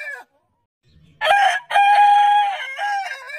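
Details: Crowing rooster from a heritage breed compilation: the tail of one crow fades, then after a pause a new crow opens with a short syllable and stretches into a long, level, strongly harmonic note that trails away.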